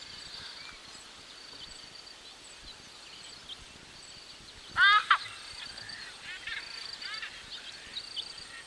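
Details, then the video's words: A pair of White-bellied bustards, recorded at medium-close range, gives a brief, harsh, croaking burst followed by a few fainter throaty notes, over a steady high insect drone and distant birds. "White-Bellied Bustard. MCU Calls From A Pair"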